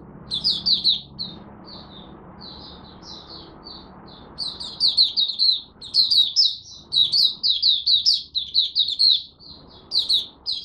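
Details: Malaysian oriental white-eye singing its first warm-up of the day (1 Aug 2023): a rapid, high twittering stream of thin slurred notes in bursts with brief pauses, faint indoor hum underneath.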